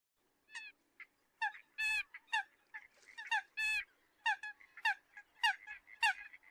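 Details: Eurasian coot calls used as a hunting lure to draw other birds: short nasal honking notes with bright harmonics, given singly and in quick pairs about every half second, a few louder and more clipped, over a quiet background.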